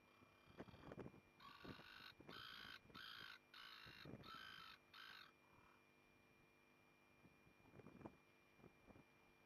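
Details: Eastern osprey at its nest at Port Lincoln, Australia, 11 August 2020, just after the first egg was laid: a faint series of about six harsh, evenly spaced notes over four seconds, with low rumbling wind and knocks.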